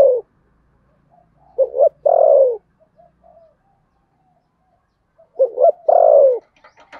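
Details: Spotted dove giving contest cooing in the Sấm Thổ voice style: two three-part phrases, each with two short rising notes and then a long, low, descending coo, about four seconds apart, with faint soft notes between.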